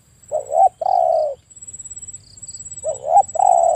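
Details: Spotted dove calling: loud mellow coos around the middle pitch range, a short rising-falling note then a longer sustained coo, the phrase repeated twice, with a steady faint high electronic whine behind.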